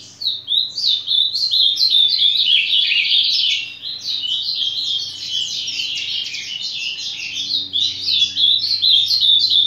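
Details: Ultramarine grosbeak singing a long, fast warbled song of rapid chirped notes that rise and fall, running almost unbroken for ten seconds, with a faint steady low hum behind.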